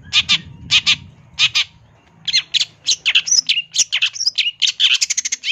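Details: Long-tailed shrike, a champion singer, in a fill-in-rich song for tutoring other birds: paired rasping notes at first, then a quickening mix of scratchy chatters and brief clear whistles.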